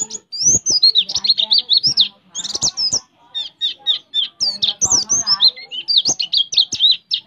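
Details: Oriental white-eye in a fast 'tembak' roll, used as a training master; continuous rapid high twittering of looping whistled slurs and chips, barely pausing over seven seconds.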